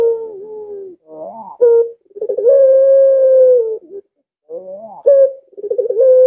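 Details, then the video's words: Collared dove delivering repeated pelung coos with a drawn-out curve. Low wavering phrases with a sharp accented note lead into a held steady tone, then a pause and a second phrase starting the same way. "Tidak Terlalu Agresip Tapi Lengkungannya Bikin Puter Lain Ga Sabar Ingin Ikut Bunyi"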